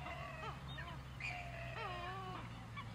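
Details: A feeding flock of pheasant-tailed jacanas in non-breeding plumage at Sam Roi Yot National Park, Thailand, gives nasal, mewing calls that waver and slur downward, several in quick succession, over a steady low engine-like hum.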